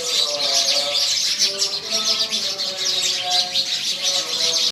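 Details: A dense flock of sparrows chirps continuously with high, rapid, overlapping tweets while a man's steady chanted recitation of Sikh scripture drones beneath.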